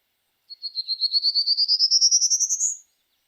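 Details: Prairie Warbler, a Kentucky spring migrant, sings a loud buzzy song of about twenty zee notes run together without pause, climbing steadily in pitch over two seconds; nothing else is heard.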